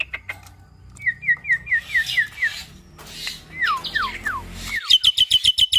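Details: Hybrid starling, a cross between Nias hill myna and Asian pied starling, kept as a cage bird: soft chatter, then six down-slurred whistles in a row, more falling notes, and finally a burst of rapid clicking chirps.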